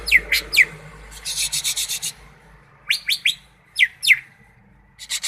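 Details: Greater green leafbird from Malinau giving sharp descending whistled slurs in quick pairs, alternating with a harsh buzzy rattle, over a low background hum.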